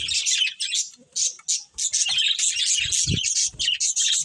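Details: Budgerigars, a pet breeding pair, in steady chattering warble of quick high chirps, about three notes per second, with a brief pause early and a few soft low knocks midway.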